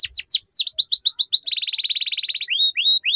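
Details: Canary tutor song for young canaries learning the ngeriwik trill: bright descending whistled sweeps, then a fast, even high trill of about thirty notes, ending in short rising whistled slurs. No other sounds.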